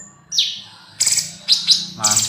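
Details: Young male spotted bulbul in lively song: short bright chirps and a falling whistled note, then clustered sharp high notes, over a low background hum.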